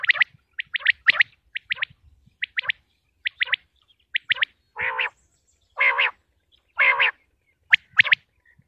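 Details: Common quail from Pakistan, used in hunting: quick clipped triplet calls repeated steadily, later giving way to several loud harsh, buzzy nasal bursts spaced about a second apart.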